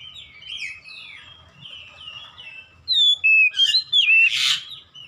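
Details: Oriental magpie-robin singing in 'ngeplong gacor' style for home training of caged birds: soft warbled whistles, then loud, piercing, sliding whistles and a harsh burst after three seconds, with a faint low hum beneath.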